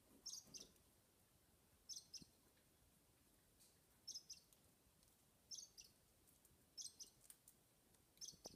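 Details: Rosa Bourke's parakeet chick, six weeks old, in a family cage while its father feeds it on the back perch. Faint, high double chirps are repeated about every one and a half seconds over a low background hiss.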